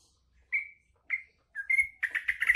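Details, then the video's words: Green leafbird (cucak ijo) singing with learned trucuk song filler: three clear, slightly falling whistled notes spaced half a second apart, then a hurried run of rich, chattering whistles. "Trucuk isian cucak ijo"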